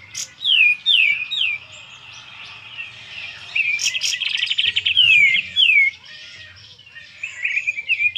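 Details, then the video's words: A Sooty-headed bulbul, singing well though not yet spreading its tail and suited as a lure bird at home, gives lively liquid, down-slurred whistles, three quick notes then a longer chattering run, over a faint low hum. "kapas tembak gacor"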